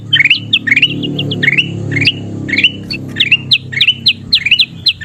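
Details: A golden kutilang bulbul sings for training caged birds: upward-flicking chirps repeat in steady groups with short pauses, over a noticeable low humming background.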